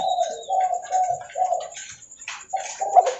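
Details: Spotted dove, a loud calling bird recorded while walking, giving repeated low hoarse coos in a steady run of notes, with faint rustling in the background.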